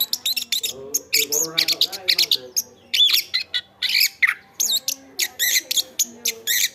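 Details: Chestnut-backed thrush in full, lively song for tutoring other birds, pouring out dense high chips, wavering whistles and buzzy squawk-like notes in quick succession with hardly a pause.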